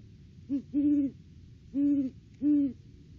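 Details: Wild Great Horned Owl pair duetting at the nest tree in the off-season, December: a short hoot, then three longer deep hoots spaced about a second apart, clear and loud.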